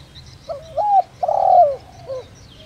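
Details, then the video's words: Spotted dove decoy bird with the 'đồng rặc' voice type, singing to rouse other doves. Its cooing phrase runs from quick low opening notes into a long pulsing croo and ends on a short soft coo. "Cu gáy Gáy Gọi giọng ĐỒNG RẶC kích bổi nhanh nổi"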